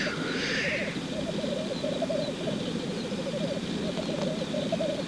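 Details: Displaying male black grouse at a lek. Unbroken burbling coos roll along in repeated wavy phrases, with a short hissing whoosh at the start and a faint click later.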